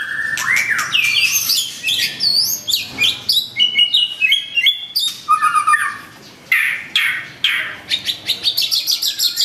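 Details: White-rumped shama, agitated and calling to a rival, pours out a fast, varied song of rich whistles, slurred rising notes and sharp chips, changing phrase every second.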